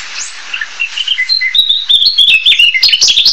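Narcissus Flycatcher giving high, thin whistled notes that quicken into a rapid, twittering run of chips and clicks after about a second and a half.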